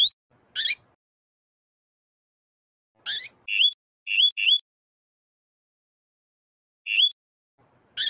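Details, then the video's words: Double-collared seedeater, a male in the deep 'canto grosso' song style set against a calling, chirping female: harsh, broadband bursts spaced a few seconds apart, interleaved with short, rising chirps repeated in a quick cluster of three and then singly. "COLEIRO tuí tuí CANTO grosso Vs Fêmea chamando e piando"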